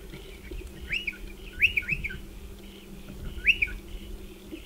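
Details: Striated pardalotes at burrows in a dry stone wall, calling with crisp rising-and-falling whistled notes, sometimes doubled in quick succession, in loose bursts under a low background hum.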